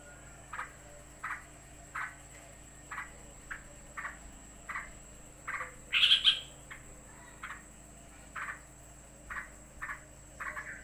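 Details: Sooty-headed bulbul calling in agitation as another bird arrives: short, hoarse notes repeated roughly every half second, broken midway by one louder, higher squawk, then the steady series resumes over a faint constant hiss.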